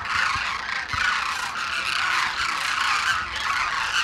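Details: A large wintering flock of migratory demoiselle cranes at a morning grain-feeding site in Khichan village, India, fills the air with a continuous din of overlapping, croaking, honking calls, with no pauses between them.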